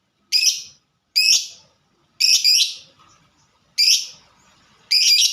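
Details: Lovebird of fighter type singing in the 'ngetik' (typing) style: sharp, harsh chirps spaced about a second apart, five bursts with short pauses between, over quiet background.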